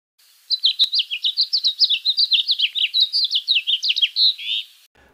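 House Finch singing a rapid, rambling warble of bright musical notes mixed with wiry squeaks, about four seconds long, ending on a longer buzzy note.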